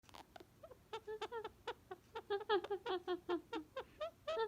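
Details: Male pet Indian ringneck parakeet laughing when given a hat in a game: a run of short, voiced, harmonic 'ha' notes repeated roughly every quarter second.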